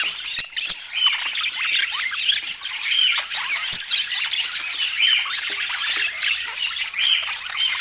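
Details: Several budgerigars warble at once in a constant scratchy babble. Clearer whistled chirps stand out about every two seconds, with a few sharp clicks mixed in.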